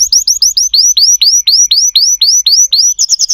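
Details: Canary song made of quick upswept whistled notes repeated evenly, roughly five per second, with a clear ringing tone and no other sounds.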